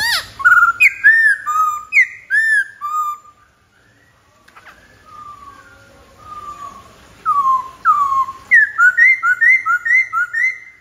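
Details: White-browed laughingthrush singing loud, rich whistled phrases with slurred rising and falling notes, a quieter softer stretch in the middle, then a fast run of repeated bright whistles near the end; no other clear sounds.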